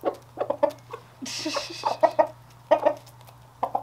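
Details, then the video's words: Happy pet rooster receiving treats utters repeated short, gravelly clucks in pairs and small groups, with a brief rustling hiss in the middle and a quiet background hum. "Super Happy Rooster Sounds. . .Followed By Terrified Rooster Sound!"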